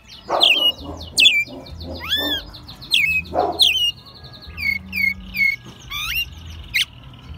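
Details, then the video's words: American robin kept at home since it was a nestling, recorded in Mexico City in March 2020; dense bursts of high, rising and falling whistled notes in quick, uneven phrases, some slightly harsh, over a low background hum. "Mirlo Primavera, el pájaro melómano cantando en CDMX"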